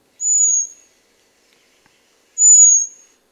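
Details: Common Blackbird giving its raptor alarm call: two thin, very high, drawn-out whistled seee notes about two seconds apart, each slightly falling; such high, fine tones are hard for a predator to locate; otherwise quiet.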